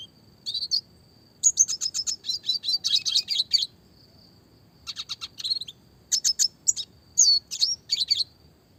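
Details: Classic red siskin song for training songbirds: bursts of rapid high twittering and chips separated by pauses, with a faint steady high whistle in the background.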